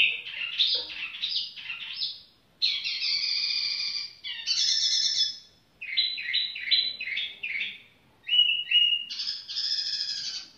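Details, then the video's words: The tiểu mi bird delivers varied phrases separated by short gaps: warbled twisting notes, rich harmonic strophes, repeated dipping whistles and a final sharp, bright figure. "chim tiểu mi chơi lai rai"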